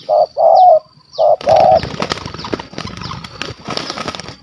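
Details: Spotted dove, a wild stuttering-voiced caller with a big voice, targeted during a Malaysian dove hunt, utters four low, husky coos in quick pairs, then the calling stops and loud rustling, crackling handling noise takes over.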